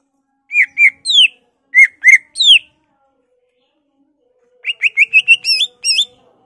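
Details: Greater green leafbird in full, excited song, showing off imitations of other birds like magpie-robin and canary: two groups of three loud upslurred whistles, a pause, then a rapid string of rising and wavering whistled notes.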